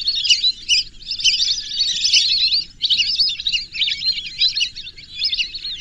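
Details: A group of whistling ducks gives rapid, high-pitched twittering whistles in a nearly unbroken stream, louder in bursts. A soft, low murmur sits beneath them.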